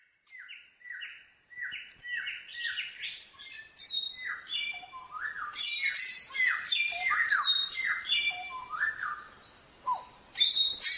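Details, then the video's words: Samyong singing continuously for training songbirds, a rich, varied song of repeated downslurred whistles, then dense bursts of buzzy, chattering phrases building in loudness. "Suara Burung Samyong | Gacor"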